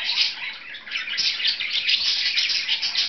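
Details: Short burst of two pet budgerigars playing, a rapid scratchy high chatter of chirps and clicks running without pause.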